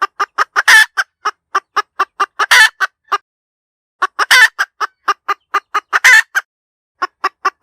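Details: Hen giving a lively cackle, rapid clucks punctuated by four long, harsh squawks, with a short silence midway before the series resumes.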